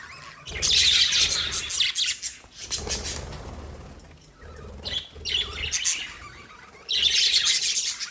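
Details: Lovebird chirping in loud, buzzy bursts of high chatter, separated by quieter gaps around 2.5, 4.5 and 6.5 seconds, with low rustling underneath.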